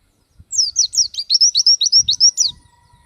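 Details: Lively Oriental white-eye kept for song training, pouring out a fast two-second string of high, downward-slurred whistles, roughly a dozen notes at an even rapid pace, with a few soft low knocks.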